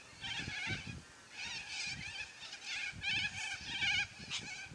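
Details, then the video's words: A flock of yellow-crested cockatoos calls noisily: scratchy, wavering squawks come in clustered bursts, growing louder toward the end, over faint low background knocking. "Noisy Yellow Crested Cockatoos Take Over!"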